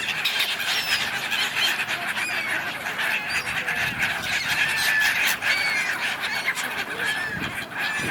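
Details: Gulls in a large flock arguing on the River Dnipro, Kyiv, Ukraine, January: layered shrill cries and short squeals pile over one another, with occasional higher thin notes above the din.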